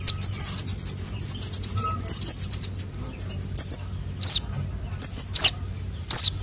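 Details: Konin and sogon sunbird nestlings calling, a sound used for bird luring: a rapid high twittering stream that thins out into separate loud, sharp down-slurred chirps about once a second.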